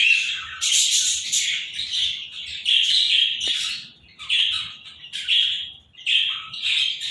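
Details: Indian ring-necked parakeet pair calling with harsh, grating squawks in bursts of about a second, separated by short gaps, loud and close.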